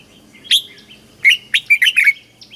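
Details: Thai caged red-whiskered bulbul singing southern master style to teach young birds and stir up others; one high opening note, then a fast run of five bright slurred chirps.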